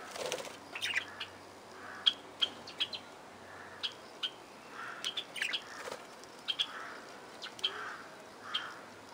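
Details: Aviary parakeets calling with brief bright tweets and clicks, spaced unevenly over a softer background of chatter and a faint low hum.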